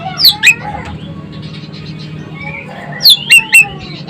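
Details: Sumatran Asian glossy starling, described as chatty with a sharp voice, giving loud, sharp rising whistled notes: two near the start and three close together about three seconds later, over a faint hum and fainter background tones.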